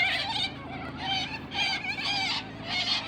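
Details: A flock of wild white cockatoos in a tree in a park on a sunny winter day gives harsh, raspy screeches in overlapping bursts, about one every second, with several birds calling at once.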